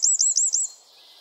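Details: Wren in a forest giving four quick, high, arched whistled notes in a row, then a faint fading trill, with no other clear sounds.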